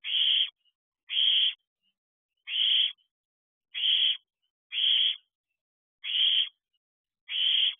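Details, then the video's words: Young owlet, third hatched, in an owl box on the evening of 10 July 2023 at 8:59 pm, calling for its siblings and for food from its mother: harsh hissing screeches, each about half a second, repeated roughly every second, with nothing else heard. "Calling For Siblings And More Food."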